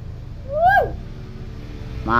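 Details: Tame talking common hill myna indoors: one swooping whistled note that climbs steeply and then drops quickly, with a short rough sound at the end over low background hum.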